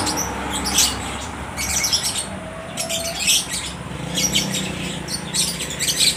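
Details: Caged lovebirds at a market in Aceh Tamiang, Indonesia, calling back and forth: short clusters of sharp, high-pitched chirps and squeaks roughly every second, with a low background rumble and hum.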